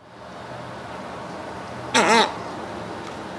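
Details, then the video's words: A Reddish Egret, a heron foraging mostly in tidal flats, lagoons, mangroves and salt marshes, gives one short, harsh, guttural croak lasting about a quarter second, rich and raspy, over a faint low hiss. "in these areas reddish egrets make sounds and have a call that sounds like this"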